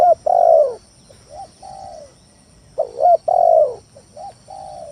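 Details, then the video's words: Lure song of a spotted dove (tekukur tanah) for stirring rival doves to call: two phrases of a quick double coo, a long falling coo and softer trailing coos. "Suara Pikat Tekukur Tanah full gacor Nekan lawan"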